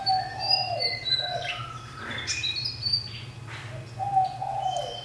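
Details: Caged fantail, one year in captivity in a roomy enclosure, gives clear high whistled notes and lower sliding fluty phrases, with a brief buzzy burst midway and a steady low background hum.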